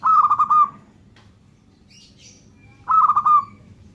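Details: Local zebra dove, singing actively: two rapid bursts of soft, rolling, stuttered coos around a steady mid pitch, each about two-thirds of a second long, separated by a pause of about two seconds. A brief faint high chirp falls in the gap.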